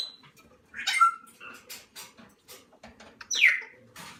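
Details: Salmon-crested cockatoo chicks being hand-fed indoors, no older than a month, give hoarse squawks and a loud downward-sliding screech amid soft rustling.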